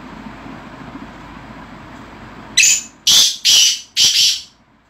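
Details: Caged black francolin, known as kala titar, calling in a decorated cage: four loud, harsh rasping bursts in quick rhythm after a quiet hissy lead-in.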